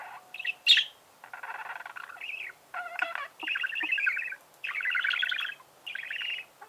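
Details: Budgerigar chirping: a squeaky note, then longer grating, buzzy chatter phrases, each about a second long, with short pauses between them.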